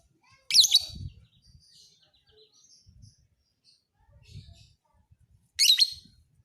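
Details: Lovebird, fighter type, recorded for training other birds: two loud, high, rasping chatters about five seconds apart amid soft twittering and a low murmuring background.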